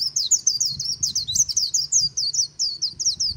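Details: White-eye singing a "líu" style song beside the Kỳ Cùng river: a fast, continuous run of very high, sweet twittering notes, each a quick rising-falling slur, with no pause throughout.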